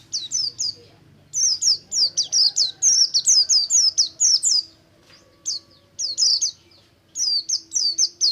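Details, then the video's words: Oriental white-eye in buxtomi ngalas song, played to set other kept white-eyes chattering; rapid runs of high, thin, downward-slurred notes in long strings broken by short gaps. "BUXTO NGALAS, untuk merangsang pleci ombyokan agar cepat ngriwik"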